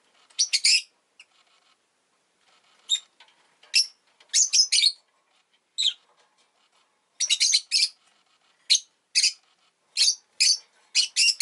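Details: Captive rosy-faced lovebird near a newly laid egg, producing sharp, screechy high chirps, some single and some in rapid clusters of three or four, with brief silent gaps between the bursts.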